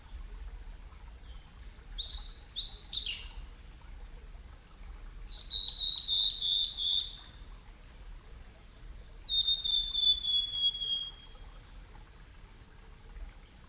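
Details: Male blue-and-white flycatcher singing at Yamada Green Park, Kitakyushu, Fukuoka, Japan, a summer visitor. Recorded over ten years ago with Sony Betacam equipment. Three high whistled phrases about four seconds apart, each a quick run of clear notes sliding downward, over quiet background.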